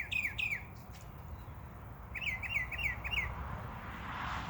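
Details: Backyard birds chirping in summer, two sharp falling chirps at the start, then a pause and a fast run of four similar slurred notes, with a soft hiss of outdoor background throughout.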